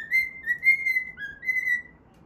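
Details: Pet cockatiel whistling a tune while playing, based on the Pythagora Switch opening theme; clear, pure whistled notes with slight rises and falls, in three sustained phrases separated by short gaps.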